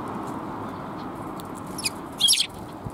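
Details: Sparrows, among them one without a tail, recorded on 17 January 2022 along the way out. A brief burst of high, sharp chirps comes near the end over steady low traffic-like rumble.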